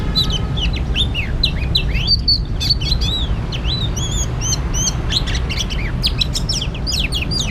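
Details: Oriental magpie-robin at a trapping spot, pouring out quick, varied whistled phrases with many sharp rising and falling slurs and short clicks, nearly nonstop, over steady low background noise.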